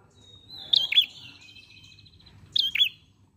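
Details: Ashy prinia, called prenjak pala merah, in a lively, flowing lure song: two sharp double notes, each a high chip dropping to a lower note, joined by a long, thin, buzzy trill held at one pitch.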